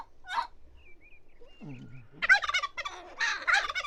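A turkey gobbles in a fast, rattling, bubbling burst that lasts over a second, preceded by a short sharp note and a low, falling grunt.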